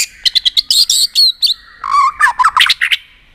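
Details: White-rumped shama giving tail-flicking 'tạch' notes, used to rouse a shama into contest singing; rapid burst of sharp clicks and chirps, then lower rich warbled phrases with quick varied notes.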